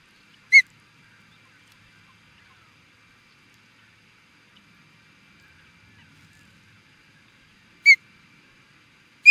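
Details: Osprey at Charlo, Montana, USA, reacting to an intruder: three sharp, high whistled chirps with a bright ringing edge, widely spaced, the first alone and the last two about a second and a half apart, over quiet background.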